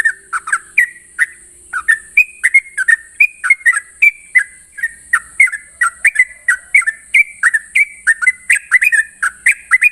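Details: Sooty-headed bulbul singing in the morning in the long, rapid 'ropel' style: quick, bubbly whistled notes, each dipping and rising, run together almost non-stop for ten seconds, over a steady high-pitched hiss.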